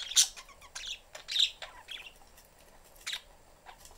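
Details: Caged family of pet budgerigars, parents and a young bird looking for attention, door open. Scattered sharp high chirps and short squawks, irregular, with quieter chatter between.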